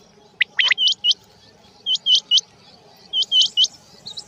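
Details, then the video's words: Male and female quail in rain give bright, rising chirps in tight groups of three or four, separated by short pauses, over a soft steady background hiss. "Rain Male Female Quail Beautiful Sounds"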